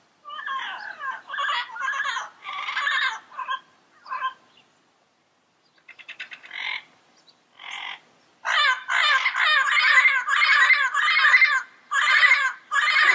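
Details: Yellow-headed parrots in their natural habitat giving rapid series of harsh, rasping squawks, roughly one per second, with a brief gap before a louder run of repeated calls.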